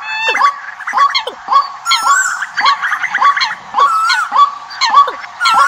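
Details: Birds calling as a decoy for the migration season, a flock's bright looping notes and short falling chips repeated in quick pulses, about two bursts a second with brief gaps.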